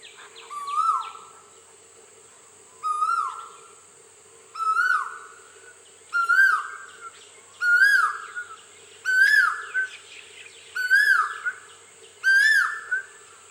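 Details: An Asian koel calls in Assam during Bohag Bihu on 12 April 2016, about every two seconds, each phrase a loud, swooping mid-pitched note, over a steady high insect-like hiss and a low hum.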